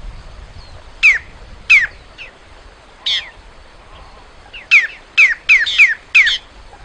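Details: Singing great-tailed grackle giving nine harsh, squawking notes, each containing a quick descending whistle. The notes come at irregular gaps, then cluster in a rapid run of five near the end.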